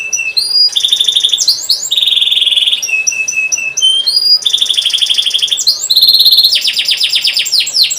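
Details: Canary training song for young birds: a continuous chain of fast trills, steady buzzy rolls and rising whistled slides, changing tour every second or so.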